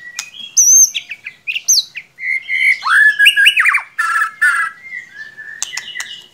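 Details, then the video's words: Loud, varied lure song of the murai batu, the white-rumped shama, used to prompt a reluctant singer: high piping notes, rapid rich warbles and downward-swooping whistles in a continuous rush. "Solusi murai ngiriwik kurang gacor cukup dengarkan suara pancingan ini pasti nyangut"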